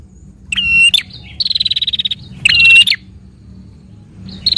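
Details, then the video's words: [6, 'Prenjak, a prinia, delivering nonstop fighting song played to prompt a caged bird: loud clicking burst, a long even buzzing trill, then another clicking burst, followed by a brief pause and a fresh start.'] "Burung Prenjak Gacor Narung Cepat Rangsang Bunyi Prenjak Anda"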